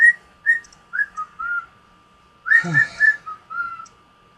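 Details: Gray male cockatiel, about 16 years old, at home, whistling a tune learned from a parakeet: a series of clear notes stepping between high and low pitches, with a person's voice overlapping a burst of quick whistles midway.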